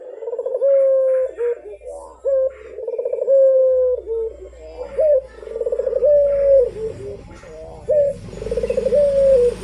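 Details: Actively cooing Barbary dove, used to prompt other doves to call: a steady series of about four throaty coos, each a pulsing roll then a long slightly falling note, with a low rumble toward the end.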